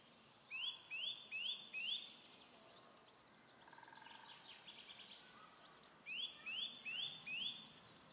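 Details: Eurasian nuthatch in woodland near Lage Vuursche, Netherlands, singing in breeding season: clear, rising whistled notes in quick runs of four, about two or three per second, with pauses between runs and faint woodland birds behind.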